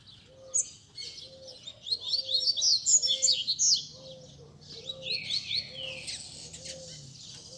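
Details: Rusty-collared seedeaters kept by bird keepers sing together on a Sunday to warm up a competition bird. Bursts of high, rapid twittering song alternate with pauses, while a soft low tone pulses steadily about every 0.7 seconds.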